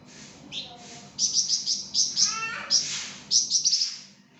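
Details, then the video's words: Actively singing flamboyan bird, kept as a tutor recording for songbirds: quick runs of sharp, high chirped notes in clusters, broken by a lower warbled phrase and a brief soft whistle. "𝗯𝘂𝗿𝘂𝗻𝗴 𝗳𝗹𝗮𝗺𝗯𝗼𝘆𝗮𝗻 | 𝗳𝗹𝗮𝗺𝗯𝗼𝘆𝗮𝗻 𝗴𝗮𝗰𝗼𝗿 | masteran flamboyan"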